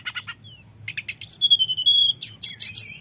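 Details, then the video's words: Short stretch of fluting, rolling common iora lure song meant to rile rivals: a few ticking notes, a long steady whistle, then harsh bright bursts and a falling slur. "Pancingan tledekan nyuling ngeroll bikin lawan emosi"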